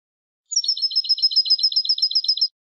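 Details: Field-type 'campero' European goldfinch song meant for educating cage birds: one rapid, evenly spaced high trill of roughly fifteen bright twittered notes over two seconds, clean background.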